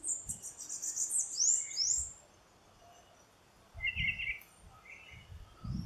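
A Pale-breasted thrush gives thin, very high sliding notes over two seconds, then a few short, lower chirps. Low wind buffets thump in the background.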